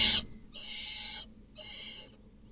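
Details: Inside a barn owl nest box at night, an intruding male kills the offspring of another male. A short sharp burst, then two drawn-out breathy hissing screeches, the second shorter and quieter.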